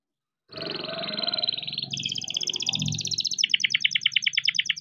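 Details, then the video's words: Young farm-bred canary singing continuously, used to stimulate other canaries to sing: a sustained buzzing trill shifting into rapid rolling tours and then a fast pulsed chatter, over low background noise. "BURUNG KENARI GACOR NGEROL BISA JUGA BUAT PANCINGAN KENARI MALAS BUNYI"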